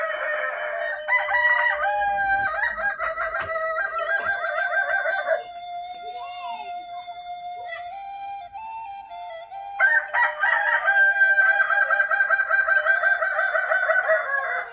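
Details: Kukuak balenggek chicken crows from a collection of special crows: bursts of stepped, harmonic crowing open the recording. A long, steady sustained note follows in the middle, then another extended run of multi-syllable crowing.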